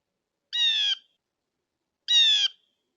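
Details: Blue jay at a bird feeder giving two loud, harsh, nasal screams, each about half a second long and roughly a second and a half apart, against a quiet background.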